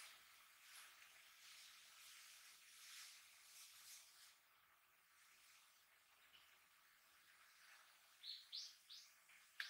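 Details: Japanese grosbeak, met in a park in winter, gives three short, sharp high notes in quick succession near the end, over a steady soft hiss of background noise.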